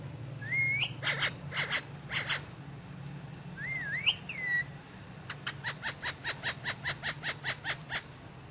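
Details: A pet Indian ringneck parakeet talks in Urdu/Hindi while resting on pillows. Two looping whistled phrases mix with clicky bursts, then a fast regular series of about fourteen clicks, over a steady low hum.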